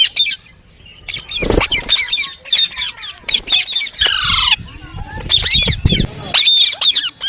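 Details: Parrot giving a run of harsh, buzzy squawks and short chattering notes, some sweeping downward, with brief gaps between bursts and rustling sounds in between.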